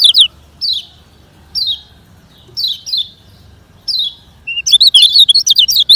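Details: Lemon-bellied white-eye song in fast 'ngejoss speed kenceng' style, used to train slow-singing birds: sharp descending high chirps roughly once a second, ending in a rapid tumbling burst of twittering notes.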